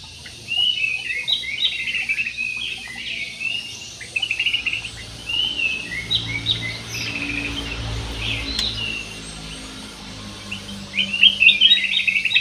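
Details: Aviary-kept parakeets calling in a busy, uneven stream of short raspy chirps and squawks, with brief pauses and a louder flurry near the end.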